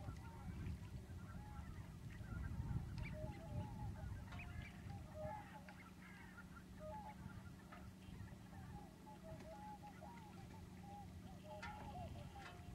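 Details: Flock of common cranes at Lac du Der, France, February 2011, part of huge migration waves of 35,000 and 70,000 birds; continuous overlapping rolling trumpet calls over steady low background rumble and a faint hum.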